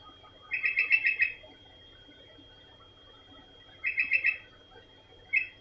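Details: Sooty-headed bulbul in continuous song, giving rich gurgling phrases of five or six fast whistled notes. A long phrase opens, a shorter one follows three seconds later, and a brief fragment closes, over a faint constant high tone.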